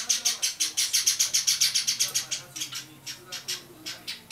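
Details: Java sparrow chicks aged 30 and 32 days, recorded at 10:25 in the morning in January 2012, give a rapid run of high, sharp chirps, about four a second, loud at first, then softer and more spaced after two seconds.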